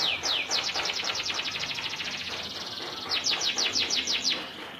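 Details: Local canary in full, long-running song: fast trilled strings of high, down-slurred whistles, a brief slower passage, then another rapid burst of clipped descending notes over light ambient noise.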